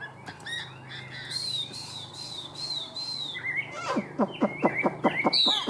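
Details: Chinese hwamei (Garrulax canorus), song.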